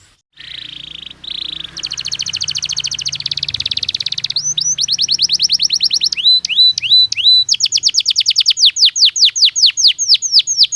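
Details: Belgian canary singing naturally for training: opens with a steady buzzy rolling trill, then moves into sharply rising and falling whistled notes repeated quickly, with faint low background hum.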